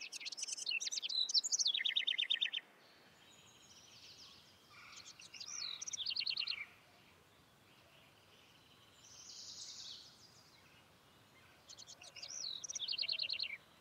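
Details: House wren singing three loud bursts of rapid, bubbly, tumbling high trills, each about two seconds long and separated by pauses, with a fainter softer phrase between them over light background hiss.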